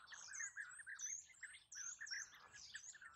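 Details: Rolling, liquid calls of a European bee-eater come in bursts with brief pauses, each note bright and slightly bubbling, set against a quiet background.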